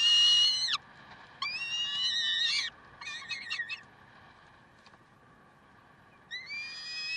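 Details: Peregrine falcons, Karlsruhe, 30 May 2010 at 7:27: a loud harsh wail, then a longer rising and level cry, a stuttering run of quick broken notes, a quiet pause, and another wail beginning at the end.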